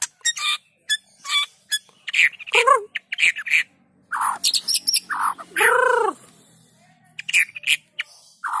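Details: White-rumped shama lure song to make lazy shamas sing: scattered high chips and warbled notes, a falling slurred whistle, then a loud, drawn-out arched whistle and a few more varied phrases.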